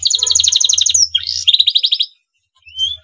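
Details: Breeding male canary sings to spur rival canaries into singing: a rapid rattling trill, a brief harsh sweep, another fast trill, then near silence and a thin rising whistle; faint low hum underneath.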